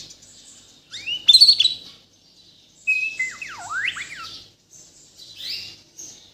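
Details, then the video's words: White-rumped shama from Borneo, Kalimantan, kept as a songbird, giving high sweeping whistles, a steep downward-then-upward slur and scratchy chirps between brief silences. "MURAI BATU BORNEO GACOR FULL ISIAN || AMAZING BIRD CHIRPING MURAI BATU"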